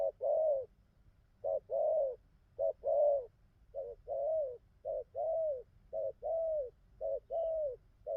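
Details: Wild-caught spotted dove cooing well, a newly caught bird now singing a full song; low soft coos in short-long pairs, a brief coo followed by a longer falling one, repeated steadily about once a second, with faint low background hum.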